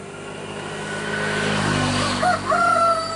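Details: Rooster crowing late in the recording, a short harmonic crow rising out of steady low engine-like rumble and hiss.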